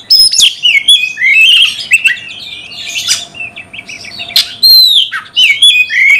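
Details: Oriental magpie-robin (kacer) singing in a cage to provoke a fight: cascading downward whistles and squeaky slurs, scratchy notes and a few loud clear descending whistles; a faint steady hum in the background.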